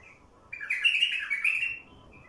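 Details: A wild bulbul, recorded to draw in wild bulbuls, delivers one sustained, loud, liquid warbling phrase lasting over a second, framed by faint chirps before and after.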